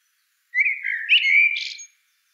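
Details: One sustained blackbird phrase of liquid, warbled whistles that rises slightly and ends in a burst of softer noisy chatter.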